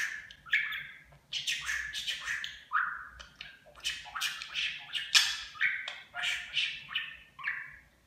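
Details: Caged household budgerigar chattering and mimicking Turkish pet phrases such as 'çok güzel', 'babacık' and 'öpücük'. A continuous stream of fast, scratchy, warbled syllables and clicks, rising and dropping in pitch, with no pauses.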